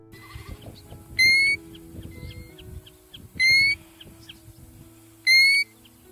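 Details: A European golden plover, a UK bird, gives three clear, plaintive whistles that slide upward, spaced about two seconds apart, over faint background chatter and low rumble.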